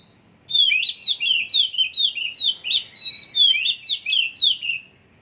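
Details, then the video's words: Oriental magpie-robin in song training: a long whistled note opens a steady run of about a dozen loud, sweeping, slurred phrases, each rising then dropping, delivered rapidly and evenly over four seconds. "Burung Kacer msh tahap setingan bunyi juga"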